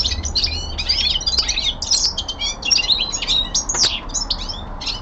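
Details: Young male linnet at home, winter descant: hurried sequence of clipped twitters, buzzy phrases and one sharp downward-swept whistle, delivered in quick bursts over five seconds.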